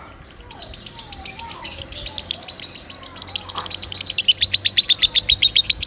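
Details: Lovebird singing as a tutor for other birds: softer scattered chirps at first, then building into a loud, rapid run of piercing high notes, almost four per second.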